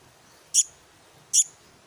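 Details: Black-naped monarch chick producing a pair of short, piercing, hissy calls less than a second apart against near silence.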